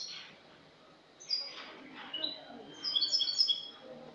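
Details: Clean-style song (cante limpio) of a Spanish goldfinch, recorded a year before 22 August 2018: quiet start, then rapid high tinkling notes building into a dense twittering run at the close.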